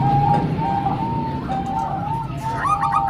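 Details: Zebra dove, Bangkok-type and local birds combined as a training track for young birds: steady, level cooing phrases, each drawn out and then clipped, followed by a quicker stuttering series near the end.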